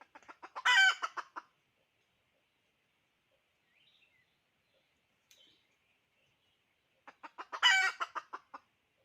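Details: Two bursts from a hen, several seconds apart, each a quick run of clucks climbing into a loud, harsh squawk. Near silence between the bursts.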